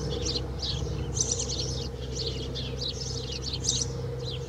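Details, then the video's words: A house sparrow sings inside a swallow's nest at Alikes, Kitros, Pieria, Greece, in April 2021, giving a rapid run of bright, overlapping chirps with barely a pause, over a steady low mechanical hum. "Passer domesticus singing into a swallow's nest"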